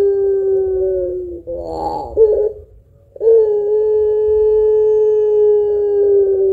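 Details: Barbary dove of the pelung variety with long, thick cooing, used to spur other birds to sing; a held coo, a rough rolling phrase, a pause, then a long steady coo lasting over three seconds.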